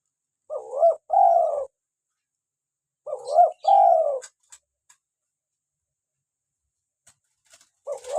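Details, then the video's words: Local spotted dove, recorded for luring wild doves and prompting captive birds to call. Two clear cooing phrases, each a quick stuttered double note followed by a longer, slightly falling coo, roughly three seconds apart; a third begins at the end, with a few faint clicks. "PANCINGAN SUARA ASLI BURUNG TEKUKUR LOKAL GACOR"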